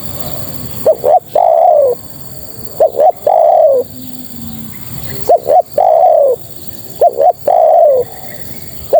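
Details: Female spotted dove calling males: hollow cooing phrases of two quick short notes and one drawn-out falling coo, repeated about every two seconds in a quiet setting.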